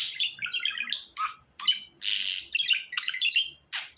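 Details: A budgerigar chatters in quick, squeaky, slightly nasal notes, with a few downslurred whistles and broad raspy bursts, separated by tiny gaps.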